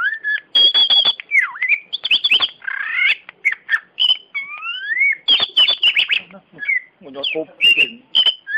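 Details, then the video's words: Caged champion oriental magpie-robin, a competition singing bird in Indonesia, in full song: fast varied phrases of clear rising and falling whistles mixed with harsh rattling notes and sharp clicks, delivered almost without pause. "KACER JUARA BUKAN JAGOAN KANDANG"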